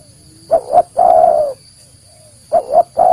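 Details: Spotted dove call for pikat luring: double short coo followed by a long mellow falling coo, then after a pause the same double note and another coo beginning; faint high electronic tone throughout.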